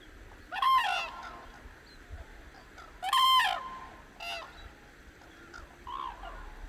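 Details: On the Hantan River at Cheorwon, Korean peninsula, cranes greet the dawn with two strong, ringing trumpet bursts about two and a half seconds apart, followed by a shorter call and softer murmuring calls.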